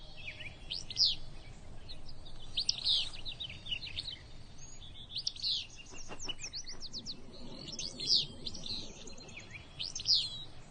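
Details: Willow Flycatcher on the Kern River Preserve, a flycatcher that nests near rivers or creeks, giving a brief, sneezy, high two-part 'fitz-bew', repeated about every two seconds, with other small chirps and faint background noise.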